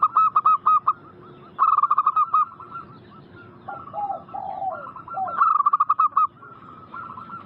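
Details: Local zebra doves in a lure recording to bring wild doves to answer: loud clipped staccato bursts, lower sliding coo notes in the middle, several birds overlapping.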